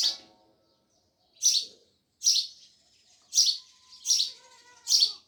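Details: Sparrows chirping loudly: short bright chirps repeated about once a second, with faint low whistles from other birds in the background.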